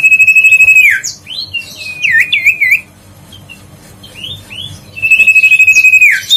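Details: Lure song of the grey-headed canary-flycatcher, meant to make a lazy bird sing: a long level high whistle dips into looping whistled phrases, a short near-silent gap, some softer notes, then the long whistle returns.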